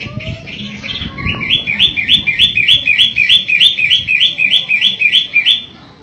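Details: Pentet (long-tailed shrike) in full, lively 'gacor' song. After a few scattered notes comes a long, regular series of rising slurred whistles, roughly three each second, over a soft low background rumble.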